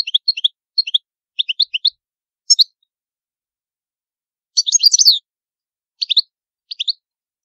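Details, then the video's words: Goldfinch, Palermo Sicilian song in the old style, recorded without background noise: repeated clusters of bright, chattering high notes, a longer jumbled twittering phrase in the middle, then a few short chirp pairs. "CANTO DEL CARDELLINO DI PALERMO SICILIANO"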